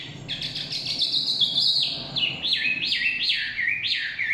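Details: Song of a Chinese hwamei in forest: a fast warbled opening, then a repeated series of strongly looping whistles, each dipping low and bouncing back up, about two per second, over faint background noise.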